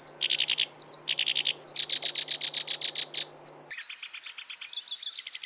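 A black-browed reed warbler sings harsh, chattering phrases of rapid buzzy notes, broken by short high whistles.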